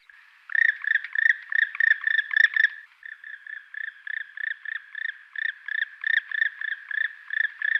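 A black woodpecker gives a long run of loud, ringing notes, about three a second, with a short break partway through; no pecking is clearly heard.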